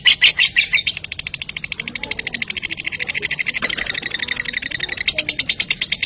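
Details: Lovebird lure sound meant to provoke other lovebirds into song: a loud burst of chirps, then a steady, fast, buzzy chatter of high notes, about three each second.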